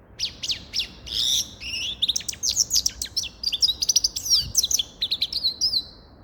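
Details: A nearly unbroken stream of rapid, high-pitched twitters and short trills from a grey-crowned goldfinch, the notes tumbling quickly one after another for about six seconds.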